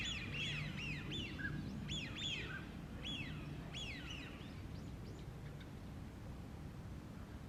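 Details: American wigeons in a park in the morning give breathy, arched whistles, several overlapping in quick bursts, fading out after five seconds over a steady low rumble.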